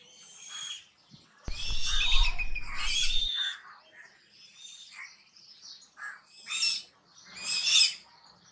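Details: Flying eagles in Pakistan, calling for meat, give high, thin, squealing calls in overlapping bursts, some chittering and some drawn out, with a brief loud rumble of wind or handling noise underneath.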